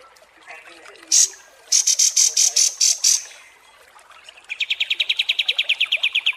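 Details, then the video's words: Kapas tembak songbird in a long master recording for competition birds: a sharp high burst, a run of bright, evenly spaced high notes, then a fast lower rattling trill repeated about five times a second. "MASTERAN KAPAS TEMBAK DURASI PANJANG"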